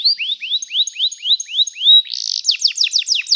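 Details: Canary singing as training material: a row of rising whistled slurs about four per second, a brief buzz, then rapid descending notes.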